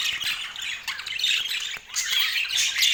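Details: Budgerigars kept as pets, eating apple, produce scratchy squawking chatter mixed with short thin whistles, broken by a brief quieter pause near the middle before the busy chirping resumes.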